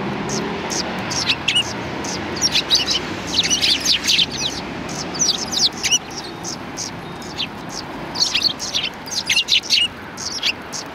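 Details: Sparrows gathered in front of a cultural hall on 7 February 2020 in a welcoming chorus: clusters of sharp chirps come in waves, quieter gaps between, a soft low background rumble.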